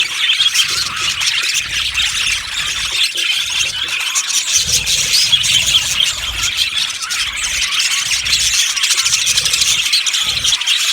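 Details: Yellow budgerigars in an aviary colony, a dense, continuous wall of high, rapid chirps and chatter from many birds at once, with faint low rumbles underneath.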